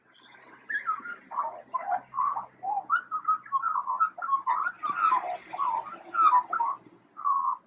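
A magpie imitates a siren with a run of short, wavering whistled notes, about two each second, rising and falling in pitch. The background is quiet.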